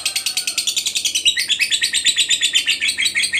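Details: Long ngekek chatter from a fighter lovebird, played to coax other lovebirds into singing, as a rapid string of shrill rasping notes. The notes become louder and rougher partway through, over faint low background hum.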